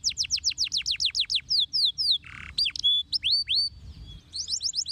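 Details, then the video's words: Canary song, played to prompt other canaries to answer. Fast runs of sharp, down-slurred whistled notes, several per second, break into a brief buzzy note, then rising and falling whistles, and end with another quick trill. "KENARI MATAP,sekali putar kenari apapun langsung nyautt"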